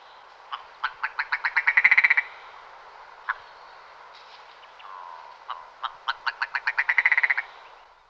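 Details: Willow ptarmigan calling: two bouts of dry, knocking notes that start spaced apart and speed up into a loud, accelerating rattle about two seconds long, with a soft nasal note between the bouts.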